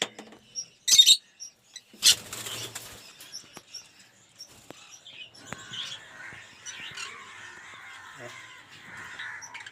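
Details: Lovebirds in an aviary collection chatter in a flock with shrill, high chirps and squeaks overlapping throughout. Two loud bursts of wing flapping come early on.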